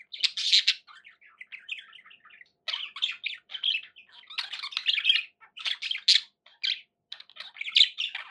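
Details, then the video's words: Pet budgerigars kept indoors, chattering steadily: dense bursts of scratchy warbles, chirps and squawks, mostly high-pitched, broken by short pauses. "11 hours of budgie sounds"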